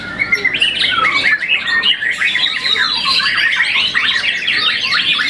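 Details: Young white-rumped shama after its first moult, a contest winner, singing a dense, nonstop stream of rapid whistles, sliding notes and harsh chattering trills, high and bright throughout, with no pauses.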